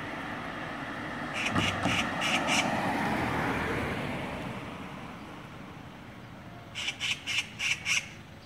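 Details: Street group of six Oriental magpies mobbing a lone bird. Two bursts of harsh, evenly spaced chattering notes, four to five each, separated by several seconds of passing traffic noise.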